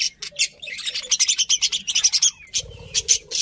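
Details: Budgies chirping: a fast run of clipped high chirps and raspy warbles, pulsing steadily at several notes a second, with a low murmuring underneath near the end.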